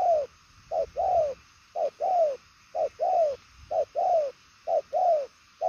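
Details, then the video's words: Spotted dove with purple legs giving rapid, vigorous coos: a short note then a longer hollow drawn-out coo, the pair repeated steadily roughly every second in a quiet setting. "Đồng son chân tím gù quá tốt, nước xa tốc độ bài lối"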